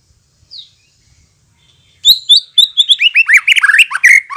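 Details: Lure song of the white-rumped shama for making birds reply and sing freely: a soft thin note, silence, then a burst of rapid high whistles sliding into fast, rich, warbled phrases.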